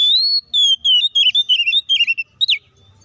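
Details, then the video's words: Aggressive song of a White-rumped shama, used to make other shamas angry: one long rising whistle, then a quick string of wavering, descending warbles and a sharp upswept note. "SUARA BURUNG KACER GACOR NGEPLONG TARUNG KONSLET❗PALING AMPUH BUAT PANCINGAN KACER AGAR CEPAT EMOSI!"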